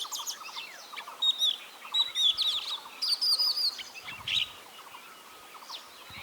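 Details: Oriental magpie-robin in India singing a varied string of sweet whistles and sharp chirps, mostly high-pitched, with softer background bird calls throughout.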